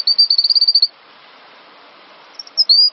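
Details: Cinereous tit master recording for training songbirds: a quick rattling trill of high, pure notes, then silence, ending with a few scattered whistles and one longer level whistle.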